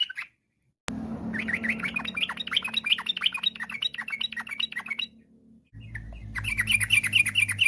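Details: Energetic, varied rapid song of a sooty-headed bulbul, used to coax other bulbuls into singing: dense quick chirps and warbled notes over a steady low hum, a short pause, then another burst of bright repeated notes.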